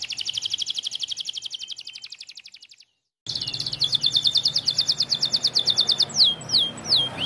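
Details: Canary of the "pocong" type singing vigorously to provoke rival birds: a fast, high, rattling trill of evenly repeated notes for about three seconds, a brief silence, then another rapid trill ending in several sharp down-slurred whistles, over a faint low hum.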